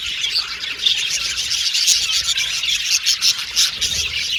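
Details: Many Australian budgerigars chirping together, a dense continuous chatter of high tweets, soft trills and short whistles without pause.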